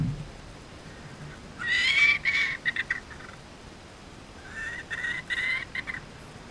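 A kookaburra gives two short bursts of harsh, chuckling notes about two seconds apart, each a rapid run of rough, clipped syllables, over quiet background hiss.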